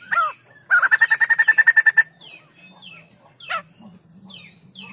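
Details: White-crested laughingthrush singing vigorously: a brief rising note, then a fast run of about thirteen loud, even, harmonic notes lasting over a second, followed by scattered sharp downslurred chirps and a faint low hum.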